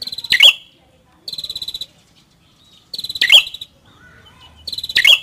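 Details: Red-headed prinia phrases: a dry rattling buzz, then a sharp, cracking note. The phrases repeat roughly every one and a half seconds, with faint murmuring in the background.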